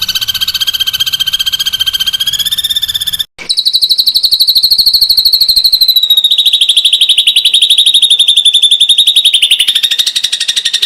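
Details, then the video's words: Ashy drongo in 'tembakan rapat' mode, a tight rapid-fire song used to tutor magpie robins. A fast high rattle breaks off for a moment, then restarts slightly higher and sharper before gliding a little lower and continuing evenly. "Masteran suara tembakan burung srigunting kelabu"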